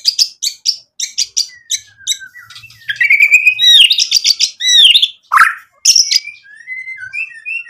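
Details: White-rumped shama in full song with mimicked fill-in phrases, meant to rile rivals into answering: a string of sharp repeated chirps, then looping whistled notes, rich warbled bursts and a rising final whistle.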